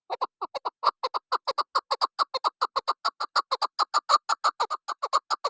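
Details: Chukar partridge kept as a hunting decoy, recorded 12 November 2023: a fast, steady run of clucking, harmonic chuck notes, about two per second, continuing without pause.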